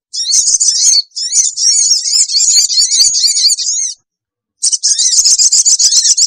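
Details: Sooty-headed bulbul lure call to bring wild birds together fast: two long bursts of rapid, scratchy, high-pitched chattering, separated by a short pause.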